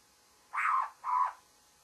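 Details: Two evenly spaced, harsh nasal notes from a babbler at morning, similar in length and loudness, with faint background hiss.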